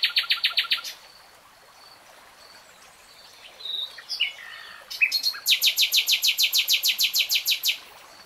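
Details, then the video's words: Common nightingale song opens with a quick stutter of repeated notes. Thin whistles and slurred phrases follow a silent gap, then a long, even, rapid series of loud ringing notes, about three per second. "BEST NIGHTINGALE SONG 3 Hours REALTIME Nightingale Singing"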